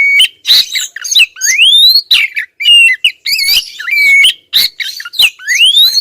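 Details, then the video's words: A female Oriental magpie-robin calls insistently at a male. Clear level whistles alternate with scratchy squawks and several long rising slurs, in a steady flow of loud phrases. "suara kacer betina ngotot bikin si jantan konslet"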